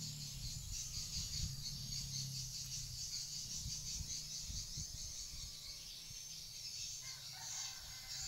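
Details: Swiftlets, calls played to attract birds to a swiftlet house: a dense, steady stream of high, rapid twittering chirps runs throughout, over a constant low rumble of background noise.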